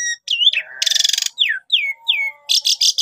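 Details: Jalak suren lure song, gacor style: a twisting whistle, a loud broad rasp, three descending slurred whistles, then clipped buzzy notes.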